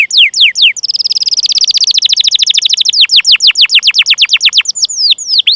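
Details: Canary song played to coax young or non-singing canaries: a few swooping notes lead into a rapid high rolling trill that slows into repeated descending chirps, ending with brief twittering.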